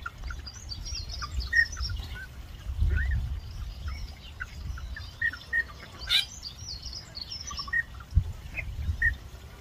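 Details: Endemic South Georgia pintails heard from very far away give their courtship call: short, high whistled peeps and chirps in scattered bursts over a steady low rumble of wind.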